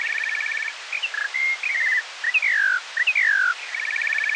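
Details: Morning skylark song slowed to half speed, perhaps from more than one bird: trilled, beaded runs at both ends frame clear notes and long downward-gliding whistles.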